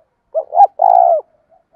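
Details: Fight-provoking call of a decoy spotted dove: a short hoot and a swelling second note, then a sustained, throaty, purring coo lasting about half a second, in otherwise silent surroundings.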